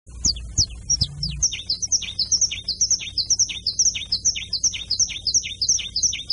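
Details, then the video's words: Canary singing in the carretilha style: a fast, steady chain of sharp high chipping notes that sweep downward, repeated several times a second without pause; a low knock or thump near the start. "CANTO DO CANÁRIO CANTO CARRETILHA"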